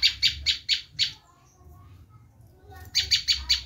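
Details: Bar-winged prinia's screaming call, used to lure wild prinias: five loud rasping notes, a quiet pause with faint thin whistles, then four more harsh chips.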